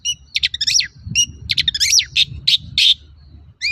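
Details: Long-tailed shrike song used as a lure to prompt other shrikes to sing: a rapid series of sharp, scratchy high notes and short whistled slurs, bursts repeated in quick succession with brief gaps, faint low background rumble.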